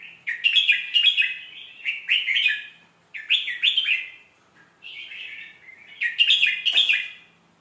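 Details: Red-whiskered bulbul singing, a recording meant for teaching young birds: four separate bursts of mellow, bubbling whistled notes, each about a second long with short pauses between, clear against a quiet background.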